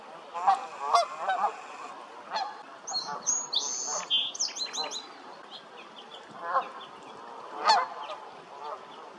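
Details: Canada geese giving loud nasal honks at the start and end, while a small songbird adds high clear whistles and chirps in the middle; steady flock murmur underneath.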